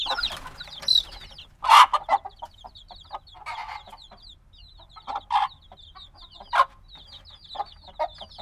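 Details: Baby chicks a few days old, black, peep more sparsely here: thin high chirps drift in and out between several loud abrupt broadband knocks and clatters.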